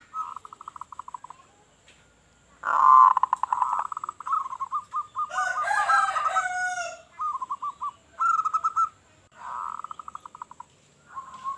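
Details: Local zebra dove calling vigorously with a big voice, used to lure other doves: bursts of rapid, stuttering mid-pitched coos repeated in phrases, with a louder, harsher drawn-out call in the middle.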